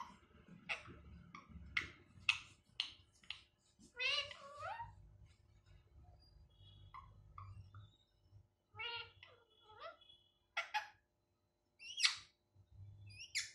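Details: Pet ringneck parakeet that speaks Hindi phrases, including 'I love you' and 'Radhe Radhe'. Quick clipped syllables and harsh voice-like bursts come in uneven runs. A low hum and soft background noise run beneath them.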